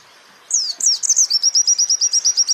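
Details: White-eye song from a champion bird, recorded as a training master for other songbirds: opens with a few loud, downward-sweeping whistles, then breaks into a quick, steady run of piercing high chips.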